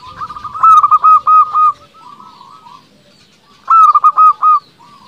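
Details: Local zebra dove singing to prompt rivals to call back: two loud bursts of rapid cooing notes separated by a quieter stretch of softer, trilling coos.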